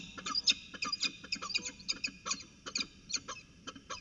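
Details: Peregrine falcons chatting during a ritual dance at Orange, CSU, New South Wales, 19 February 2020; a rapid series of short, harsh, clipped notes, about fifteen in four seconds, irregularly spaced, with some notes doubled.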